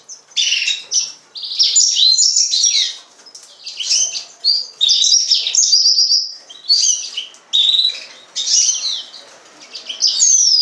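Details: Song of a yellow-fronted canary, also called green singer: long, lively sequence of high chirps, rapid trills and down-slurred whistles in repeated bursts, with brief gaps between phrases.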